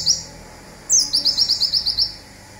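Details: Local olive-backed sunbird giving its "zipper" burst song, used as a training recording for songbirds: a short high note, then a thin descending whistle running into a fast string of about eight sharp, high chips.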